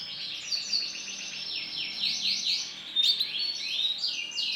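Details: Male canary with bright lemon plumage delivers fast rolling trills, repeated downslurred notes and sharp high chips in a sustained, varied song; the background is otherwise quiet.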